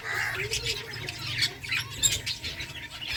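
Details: Colony of finches eating eggfood, giving short, bright chirps and squeaky notes in quick irregular bursts, overlapping one another, over a steady low mechanical hum.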